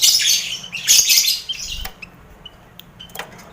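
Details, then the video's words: Colony lovebirds kept with finches and quail for contest training: an opening flurry of high squealing chatter, then the cage quiets to sparse thin chirps and short whistled notes. "Sound Koloni Lovebird"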